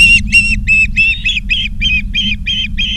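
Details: Ospreys calling at a Charlo, Montana nest, August 2023, 16:05: ten strong, squealing whistled notes in quick sequence, some with a rising inflection, over low background rumble.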